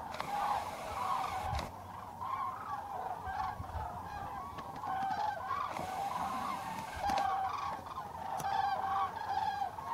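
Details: Flock of common cranes at Tablas de Daimiel, November 2012: many loud rolling bugling calls overlap in waves throughout, rising and falling in strength, with occasional low thumps and a clack.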